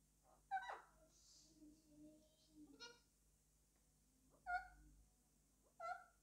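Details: Indoor pet Alexandrine parakeet talking to its toy: low murmured speech-like sounds, then sharp, bright squawked syllables that recur about every second, against a steady background hum.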